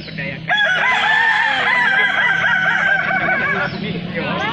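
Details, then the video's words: Balenggek rooster crowing at a festival in Kota Solok: after a soft start, a loud drawn-out crow with rippling, stair-stepped notes, overlapped by other cocks crowing nearby. "ayam kukuak balenggek"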